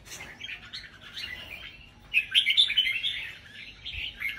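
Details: Caged red-whiskered bulbul, a 'bông' variety, singing in a rack singing competition in Vietnam: bright warbled phrases, quiet for the first two seconds, then a louder burst of rapid chirpy notes that rises and falls.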